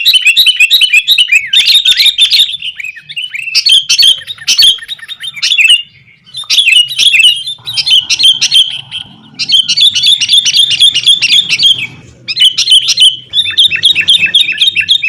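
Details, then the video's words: Sooty-headed bulbul song, used as a lure to get caged bulbuls singing: dense bursts of bright, bubbly chirps and rapid warbled notes, repeated in busy phrases separated by short pauses, with faint low rumbling underneath. "kutilang gacor TARUNG buat pancingan kutilang agar bunyi jadikan burung kutilang gacor"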